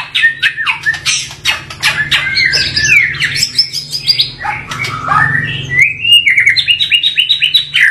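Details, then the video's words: Rough varied song of a white-rumped shama: fast scratchy notes and whistled slurs flow into a sustained series of high, rapid trilled phrases, over a steady low hum. "MURAI BATU Full Tembakan Variasi Kasar Mewah bikin murai batu lain emosi"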